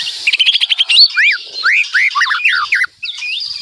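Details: White-rumped shama in loud, lively song full of fill-ins. It opens with a fast stuttering series of clipped notes, then moves into rich looping whistles that swoop up and down, with a short pause near the end.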